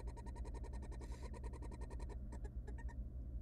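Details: Three tiny wild barn owl nestlings in a monitored nest box, fed by their mother; rapid pulsed chittering notes, about seven per second, then breaking into scattered notes, over a steady low hum.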